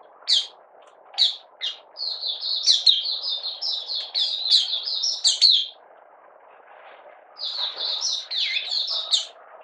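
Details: Malaysian Oriental white-eye, lightly moulting and out of form, recorded 31 July 2023 in buka sing: a few sharp chips, a long rapid warbled stream of high notes, pause, then another twittering burst over low hum.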